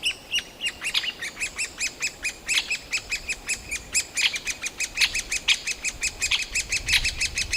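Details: Noisy older chicks of the great spotted woodpecker begging to be fed inside their tree hole, Yekaterinburg forest park, 28 June 2018; a continuous series of harsh, shrill calls several per second, overlapping and steady throughout.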